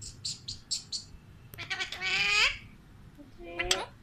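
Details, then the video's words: A pet talking Alexandrine parakeet speaks in a raspy, nasal voice, two short word-like phrases after a run of quick high chirps; faint room noise underneath. "Talking Alexandrine Parrot"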